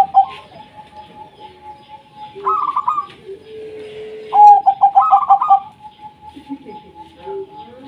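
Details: Local wild zebra dove song used to set off silent doves: a long steady tone underlies two rolling trills and a burst of rapid beaded coos, with softer doves cooing lower in the background.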